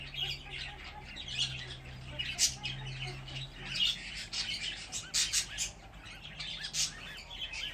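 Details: Fifteen young budgerigars in one spot give overlapping high scratchy chirps and squeaks, rising in density toward the end, over a faint low hum.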